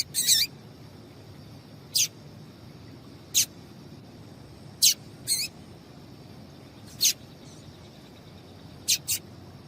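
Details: Female double-collared seedeater calling to stimulate males to sing: sharp, high, explosive chips, some doubled, at irregular intervals of about one to two seconds, nine notes in all over a low background hiss.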